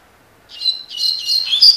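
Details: Tui tui (tocó) song of a Double-collared seedeater: a clear high whistled note, then a quick tumbling run of bright chirps and trills that grows louder toward the end, with no other sounds.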